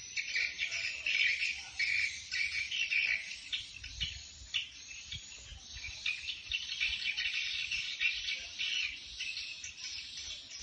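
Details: Swiftlet flock-calling sound from Bình Định: dense, buzzy chirping high in pitch, overlapping chatter rising and falling in loudness without pause, many rapid twittering notes packed together.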